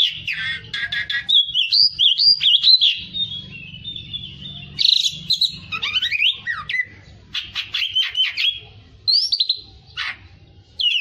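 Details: Fighter-style kacer, an Oriental magpie-robin, delivering a varied run of harsh buzzy bursts, slurred whistles and fast chattering trills in irregular phrases, with a faint low hum underneath.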